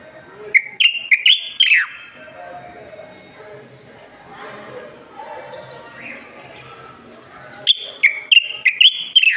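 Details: Two lively whistled phrases from a Moroccan black bulbul, a common bulbul, one at the start and one near the end. Each has several clipped fluty notes and a falling finish, with faint low murmuring between.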